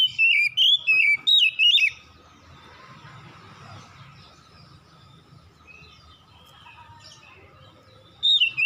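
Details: Oriental magpie-robin song at dusk: a quick run of five twisting whistles, then a long quiet stretch of soft background noise before one more whistle at the end.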